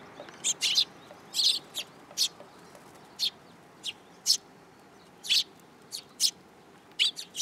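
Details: Tame sparrows at a Tenmangu shrine, recorded 8 July 2022 as they hop onto a person's hand. Bright, clipped chirps sound singly or in pairs every second or so against a quiet backdrop.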